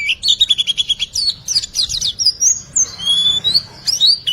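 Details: White-eye song used as a training recording to lure silent birds into singing, full of varied fill-in phrases: rapid high chirps repeated in a quick series, then longer thin whistled notes rising and falling.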